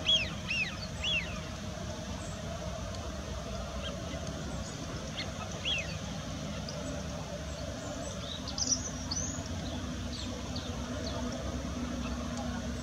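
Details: Eurasian wigeons at the Bedburg settling ponds give scattered high, rising-and-falling whistles from several birds, over a steady low rumble of wind or distant traffic.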